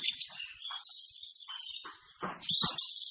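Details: Male sunbird song used as a lure for trapping: a very high, even trill of rapid ticking notes, a brief pause, then a louder burst of high buzzy chirps.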